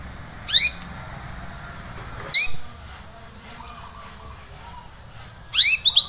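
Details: Cuit-cuit chirps of a canary, played as a lure to get a silent canary singing again: sharp, high, downward-swept chirps spaced about two seconds apart, one softer thin note between, ending with a quick cluster of chirps.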